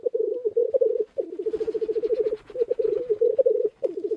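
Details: Lekking black grouse cocks, numerous, displaying on the ground by a hide in early spring; an unbroken bubbling, throaty rolling coo in rapid pulses, pausing briefly between phrases, with faint soft hiss behind.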